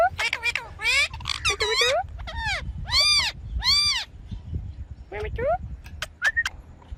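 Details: Ringneck parrot pouring out rapid arched, screechy calls, each note rising then falling, in dense clusters for about four seconds, then a pause and a few thinner, higher chirps and sharp clicks.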